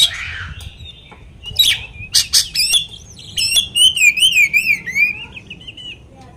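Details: Lure song of an Oriental magpie-robin, used to stir other magpie-robins to anger: harsh raspy opening notes, a few loud clicking chips, then a sustained rippling, undulating whistle that slowly fades.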